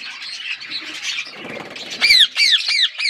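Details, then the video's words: Parrots eating food and chirping: soft mingled chatter for two seconds, then four loud, clear squawks, each bending downward, repeated roughly every quarter to third of a second. "birds eating food birds chirping sounds"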